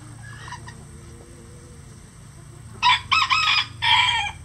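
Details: Roosters in a farm flock of at least 20 standard-size and bantam chickens. A faint, distant crow is heard first, then a loud, close, broken crow in several bursts over about a second and a half.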